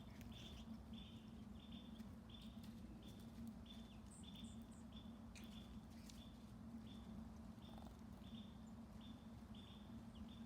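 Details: Red Northern cardinal singing in the early morning, with a flock of bluebirds about: a steady series of short, clear, evenly repeated whistled notes, roughly two per second, over a constant low hum, with a few faint higher chirps.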